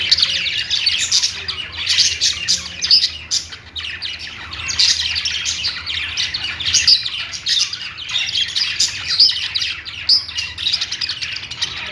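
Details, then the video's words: Pet budgies singing: long run of busy, high warbling chirps and clicks in quick succession, rising and dipping in loudness every second or two. "Singing budgie | budgies sounds"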